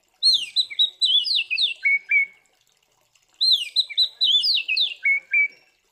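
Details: Oriental magpie-robin singing its loud 'tarung' combat song, meant to provoke rival magpie-robins: two matching bursts of tumbling, high whistled notes, bright and slurred, each closing on two lower, harsher notes.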